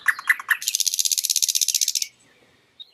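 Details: Nightingale song from a nature recording: three sharp, loud introductory notes followed by a rapid, even, buzzy rattle lasting about one and a half seconds, then near silence with a faint final note.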